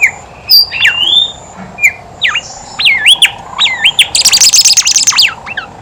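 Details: Horsfield's babbler in lively song, used to draw out babblers that are slow to sing. It repeats swooping whistled notes, then breaks into a dense, rapid chatter of high twittering notes.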